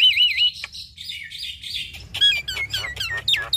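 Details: Male and female Javan mynas in duet give wavering whistled warbles, then a fast string of sharp descending chips and slurred squeaks.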